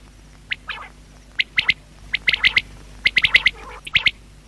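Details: Rapid clusters of sharp, high quail notes, mostly in threes, follow one another closely with a few softer rasping notes mixed in, over a low hum.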